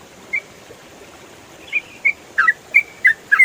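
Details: Yellow-vented bulbul, locally trucukan, in 'ropel' song made for training songbirds: a single early chirp, a pause, then a quickening series of short, sharp notes, some dropping in pitch.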